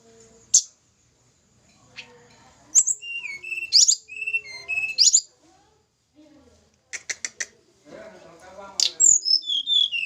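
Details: Snowy-browed flycatcher from Java in a pairing setup. Scattered sharp high notes and whistled phrases, a quick burst of clicks, and low murmuring near the end.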